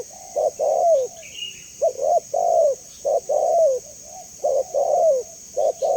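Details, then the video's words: Spotted dove, tekukur, calling on a recording meant as a tutor and lure for other doves: low, mellow cooing phrases of a short note then a longer rolling coo, repeated steadily about every second and a half over constant high hiss. "Suara Jernih Burung Tekukur"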